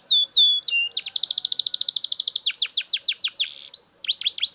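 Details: Belgian canary in strong song, with falling whistles followed by a long rapid trill, a run of deep downward-sweeping notes and a flat whistled tone.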